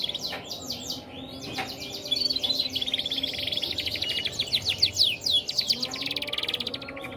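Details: Canary from a Red mosaic and Waterslager cross gives a fast, high song. A few sharp separate notes open into a dense run of rapidly repeated descending notes, building into a bright, rolling trill.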